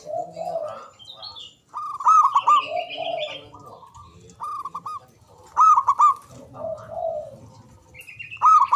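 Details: Zebra dove of local Javanese stock, loud and long-winded, used to get silent doves calling back: staccato cooing bursts recur every few seconds, alternating with lower burbling phrases and higher chirping from other birds.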